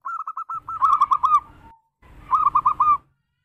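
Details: Local zebra dove singing in the berayun style, used as a lure to draw other doves: a rapid run of soft, rolling coos, then a brief pause and a second rolling, trilled phrase ending abruptly.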